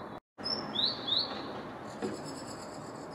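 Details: Great tit song from 6 April: two high whistled notes, each sliding quickly downward, given one after the other, then fainter high notes in the background and a constant low rumble.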